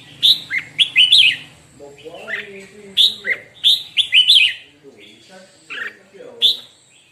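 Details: Red-whiskered bulbul singing in a morning practice session: short bursts of bright, warbling whistled phrases, four to five quick notes per burst, repeated in clusters, with faint low murmuring underneath.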